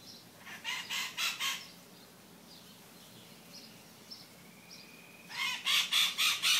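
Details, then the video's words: Maritaca parrots in the morning give harsh, grating screeches in two quick bursts of about four calls per second, with a faint thin whistle between the bursts. "Maritacas Matinais"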